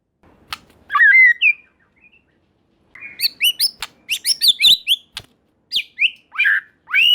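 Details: Murai batu, the white-rumped shama, singing to draw a reply from rival shamas: a loud slurred whistle, then a rapid run of sharp, chirpy, rising and falling notes with crisp clicks between them.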